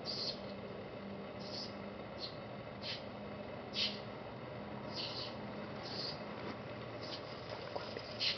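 Fawn-breasted bowerbird giving short, harsh hissing rasps at uneven intervals of about a second, over a steady low hum.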